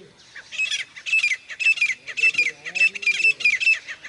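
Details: Grey francolin giving its call, a fast string of rough, grating bursts, each with a short sliding whistle-like tone inside, repeated roughly twice a second, with faint low tonal sounds in the background.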